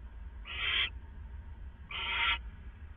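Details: Owl calling before dawn at 4:49 AM on April 27, 2014: two drawn-out, harsh hissing screeches about a second and a half apart, against a low background hum.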